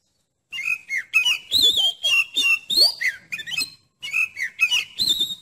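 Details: Oriental magpie-robin singing, a recording used to test the nerve of other magpie-robins: bright, varied whistled notes and slurs in quick succession, with a brief break partway through.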